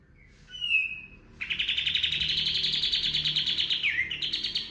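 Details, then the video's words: A kapas tembak bird gives a drawn-out whistled note, then a loud, steady, rapid buzzy 'tembakan' trill of about three seconds with a dip in pitch near the end. It is a lure song for training birds. "PANCINGAN BURUNG KAPAS TEMBAK GACOR FULL TEMBAKAN TERBAIK 2025"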